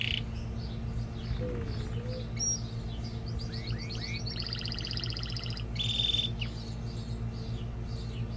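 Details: Singing male canary, meant to stir a female into breeding and train chicks: scattered whistled slurs, then short bursts of rapid buzzy trills and a brief bright rolled note, over low steady hum.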